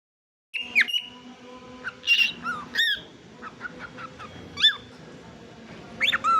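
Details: A young cockatiel, still learning and not yet singing well, gives sharp rising whistles and squawky chirps in an uneven chattering run; the owner says it is being mischievous rather than singing properly.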